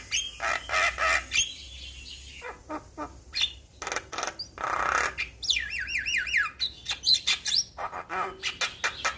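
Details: Javan pied starling song meant to make young starlings respond quickly: harsh squawking bursts and clicks, then a run of looping, wavering whistles and further rasping notes.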